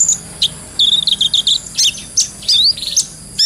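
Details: Brown-throated sunbird recorded as training material, clear gacor ngobra style. A quick string of squeaky, evenly spaced chips is followed by scattered piercing chirps and a short rising whistle.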